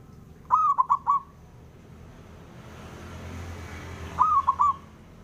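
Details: Local male zebra dove calling to stir rivals into replying: two rounded three-note coo phrases roughly 3.7 seconds apart, separated by a low background murmur that swells and fades.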